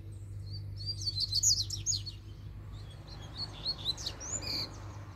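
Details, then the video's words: Double-collared seedeater loose in the open, singing strongly: rapid jumbled run of sharp high chirps and slurred notes, louder burst in the first two seconds then another phrase, over steady low hum. "COLEIRO SOLTO FORTE CHEGOU PICANDO CANTO!!!"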